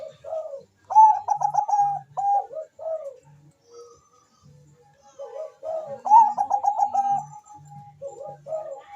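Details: Perkutut bangkok zebra dove in full song, used to spur breeding condition and singing in other doves: soft low cooing bouts, each opening with rapid pulsed notes and ending in drawn-out rounded coos, with a faint low hum underneath.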